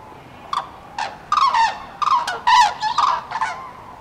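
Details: Common cranes on spring migration over central France, 5 March 2016, afternoon, many flocks broken up by bad weather: loud trumpeting, rolling bugles from several birds overlapping, about a dozen calls in quick, irregular bursts.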